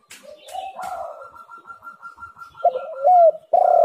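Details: Spotted dove cooing, a lure recording to prompt lazy birds to call: after a soft, warbling low phrase comes a steady higher tone held across the clip, then loud, throaty coos near the end, one sharply rising and falling.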